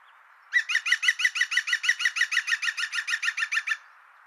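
A European green woodpecker gives its ringing, laughing yaffle: about twenty loud, even notes, roughly six a second, over three seconds against faint background hiss.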